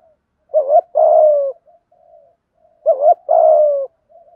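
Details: Male and female spotted doves calling in the thổ voice to stimulate other doves. Two phrases, each a quick wavering double note followed by a long, gently falling coo, with quiet soft coos between.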